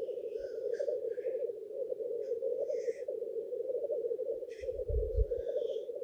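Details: Black grouse males gathered on a lek in courtship display, a steady low bubbling rookoo chorus running throughout, broken by several short hissing sneezes and a dull low thump near the end.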